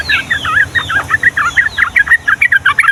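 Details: Yellow-vented bulbul (trucukan) in busy long rapid-fire song of the Ngombak Banyu style for tutoring young birds: a dense run of short gurgling, chattering notes that grows more clipped and regular toward the end.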